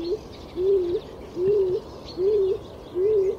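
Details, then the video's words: A stock dove gives low, hollow cooing notes that swell and lift at the end, repeated about every three-quarters of a second over a faint background hiss. "Stock dove call"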